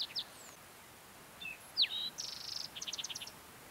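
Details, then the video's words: On a June morning high on the Mesa Verde Plateau, Colorado, a Green-tailed Towhee sings a few high, slurred whistles, then a buzzy note and a quick, rattling trill of repeated chips, over a soft background hiss. "Singing Green-tailed Towhee"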